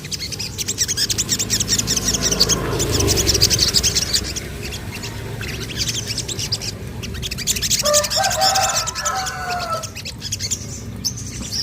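A Sogon sings a busy stream of high chirps and twitters, with a few lower whistled phrases near the end; steady background hiss throughout.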